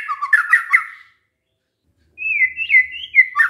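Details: White-rumped shama song used as a lure so other shamas answer: a burst of rich, warbling, whistled notes, a pause, then a long sliding whistle ending in a sharp twitter.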